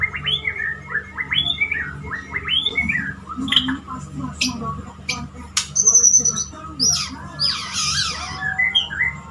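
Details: Pet male white-rumped shama courting a female, delivering a varied song of rising and falling whistled phrases mixed with harsh squawky notes and high bright whistles, with a faint steady hum beneath.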